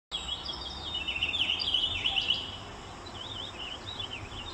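A purple finch sings a fast, rich warble of rising and falling notes that runs on for several seconds over a steady background hiss.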